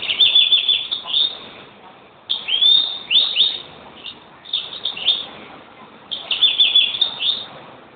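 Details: European greenfinch singing in bursts of rapid twittering trills and chirps, with a short pause after the first second and a longer one near the second mark. Faint background hiss.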